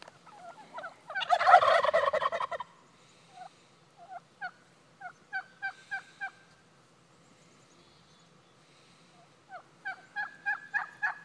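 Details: Wild turkeys near a house answer mouth-made hen calls: a loud rattling gobble burst early, then series of short soft yelps and clucks, ending with a quicker run of sharper yelps.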